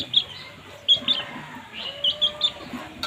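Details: Feeding baby chicks give clustered high peeps, two or three in quick succession, separated by short pauses, with a quiet hiss behind.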